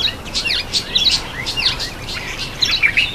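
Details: A Blackeyed Bulbul eating an apple gives quick, overlapping chirps and short slurred whistles, bright and high, tumbling over one another without pause.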